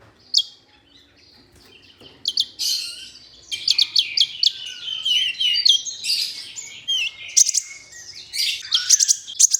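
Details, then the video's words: Olive-backed sunbird training audio to prompt singing: an isolated high chip, then a dense, lively jumble of high chips, twitters and slurred notes running on without pause. "MASTERAN merangsang KOLIBRI NINJA UNTUK PANCINGAN KONIN"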